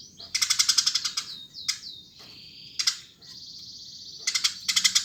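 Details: A Eurasian tree sparrow chatters actively, opening with a fast run of about a dozen harsh chirps, then a few single sliding notes and a brief steady whine, before another quick rattling chirp series.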